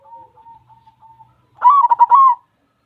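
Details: White zebra dove in full song: a run of faint, level whistled notes, then a loud clipped phrase of rapid pulsed coos ending in a held note.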